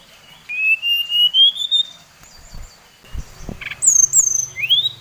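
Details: Brown-chested jungle flycatcher of the Bali type, song used to provoke rivals: a slowly rising drawn-out whistle, a pause, then high whistled notes and a sharp upward-sweeping whistle, with faint low thumps.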